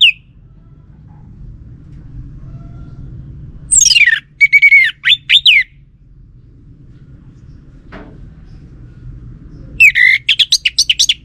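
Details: Orange-headed thrush song used as a lure to draw an answer from a male: two loud bursts of high, sweeping whistled phrases separated by several seconds of quiet low hum.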